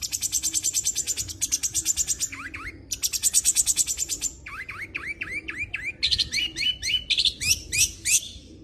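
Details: Long-tailed shrike in full chattering song packed with varied fill-in phrases: rapid high buzzy trills alternating with series of upslurred whistled notes, repeated five or six times, then higher rising notes.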